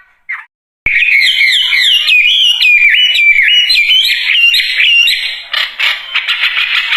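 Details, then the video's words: Wambie singing energetically: a short note, a brief pause, then a long burst of whistled notes bending up and down in rapid repeated phrases, trailing off into rough, stuttering chatter. "Kicauan Burung Wambie Gacor Dorr"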